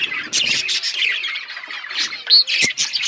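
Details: Budgerigars singing together in a busy flock, a steady jumble of rapid chirps, buzzy warbles and short squeaks, with one bright whistled note standing out near the end.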